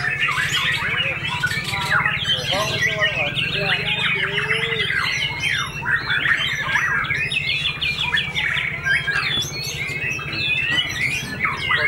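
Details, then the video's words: White-rumped shama with white tail feathers, back in form after moulting and winning first place at a contest, in fierce fighter song; crowded whistled and chattering phrases over a steady low hum. "BOMAT MB UNIK SUPER FIGHTER PASCA MABUNG NGAMUK PODIUM SATU"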